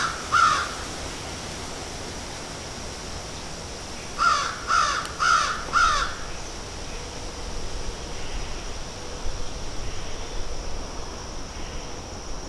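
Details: Harsh caws come from crows picking at and eating food: one single caw at the start, then a rapid run of four a few seconds later, over constant broadband outdoor hiss.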